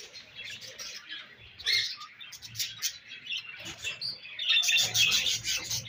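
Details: Eating budgerigars give rapid scratchy chirps and buzzy squawks, starting soft and building to a dense, loud chattering burst at the end.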